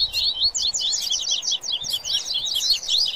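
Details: Fired-up coleiro with papa-capim in 'baderna' style: a steady stream of high, twisting, slurred twitters, loud and continuous throughout.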